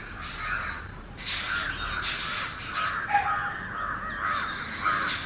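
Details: Oriental magpie-robin singing a natural melody: high arched whistles at the start, middle and end, over a steady wash of rougher, lower calls from other birds.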